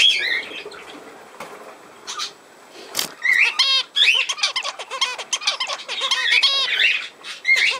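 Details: Budgerigars, 17 November 2024: quiet soft twitter and a sharp click, then after about three seconds an energetic stretch of ringing chirps, squawks and fast warbled whistles.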